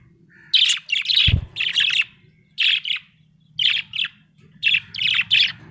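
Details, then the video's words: Cheerful budgerigar chirping in clipped, scratchy pairs and triplets of notes, repeated in regular bursts about once a second, with one dull knock partway through and a low hum beneath. "Happy budgie chirping sound"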